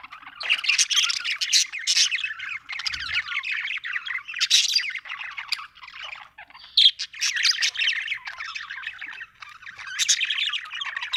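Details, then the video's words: Australian budgerigar in happy mood chirping, steady warbled chatter mixed with harsh squawky notes, nearly unbroken over eleven seconds, with a soft thump near the three-second mark. "happy budgie chirping sound"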